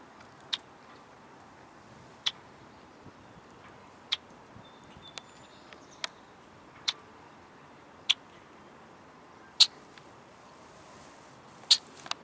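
A Red-winged Blackbird gives sharp, dry check notes, about nine in twelve seconds at uneven intervals, against a quiet background.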